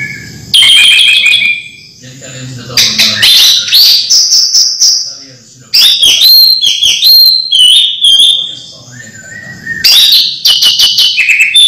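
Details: Caged orange-headed thrush kept as a home bird, its song used to coax sluggish thrushes into singing; loud bursts of varied, sharp whistled notes and rapid clicking trills, three main phrases separated by short pauses, with faint low background hum.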